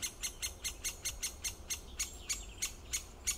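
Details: Great spotted woodpecker calls: short, sharp, high 'kik' notes repeated steadily about every third of a second, each a crisp click against a faint low rumble.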